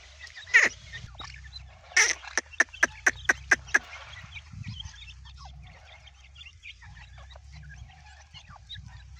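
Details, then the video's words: Partridge chicks (teetar) calling: a couple of sharp high chirps, then a fast run of six evenly spaced piercing peeps, followed by softer scattered chirps over low rumbling background noise. "Partridge baby//Teetarchicks"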